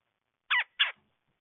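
Red-bellied woodpecker giving two harsh, rolling churring notes in quick succession, each brief and raspy, against a quiet background.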